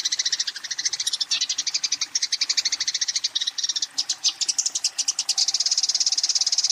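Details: Eurasian tree sparrow calling a rival to fight, giving a continuous stream of rapid, high, harsh chirps, roughly three per second, with brief gaps and a denser, steadier chattering in the last seconds.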